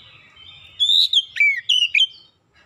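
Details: Oriental magpie-robin singing a lure phrase to trigger song in other birds: a long flat whistle, then a quick string of bright, dipping and rising notes with clear overtones, over a faint low hum.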